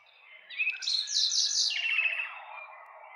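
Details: Song of a nightingale: pure rising whistles break into a loud, rapid trill of repeated notes that drops in pitch and fades away.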